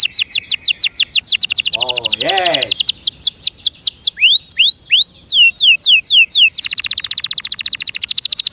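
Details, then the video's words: Kept canary singing loudly: fast, even trills of sharp downward-sweeping notes, a brief lower warbling phrase, then looping rising notes and a dense high rapid trill to finish. "PLEASE LISTEN AND ASSESS FOR YOURSELF THE BEST CANARI BIRD"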